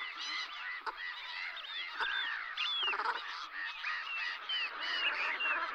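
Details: Brent geese at Strangford Lough, County Down, Northern Ireland, where the population winters. A dense flock calls at once: overlapping short, nasal, rolling honks and murmurs with no pause, joined by occasional sharper notes.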